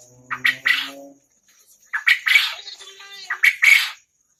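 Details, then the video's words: A prized, vocal quail from Lombok, Indonesia, gives harsh buzzy calls in three groups, each built from short clipped notes that lead into a longer grating note. A person speaks briefly at the start. "Burung puyuh gacor asli LOMBOK"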